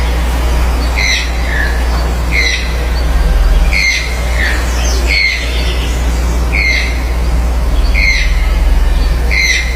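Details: Toucans calling: a sharp, stepped squawk note repeated roughly every one to one and a half seconds, with a few softer answering notes between, over a steady low engine-like hum.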